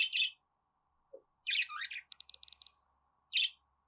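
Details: Budgerigar uttering buzzy chirps and a twisting warbled phrase, followed by a rapid series of about eight short clicking ticks, then one more chirp.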